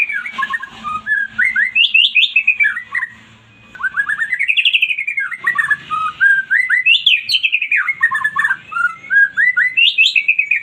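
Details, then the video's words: White-rumped shama song played to make a silent shama respond and sing: a fast, varied run of clear whistled and slurred notes that rise and fall, with one short pause near the middle. "MURAI BATU MACET BUNYI LANGSUNG RESPON"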